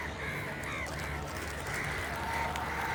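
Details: Several crows cawing, with harsh, slightly overlapping calls running back to back above a low background hum.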